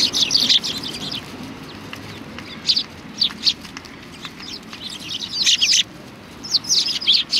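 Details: Several sparrows coming to be fed at a Tenmangu shrine on 25 November 2020, giving bursts of high, sharp chirps in clusters separated by quieter gaps.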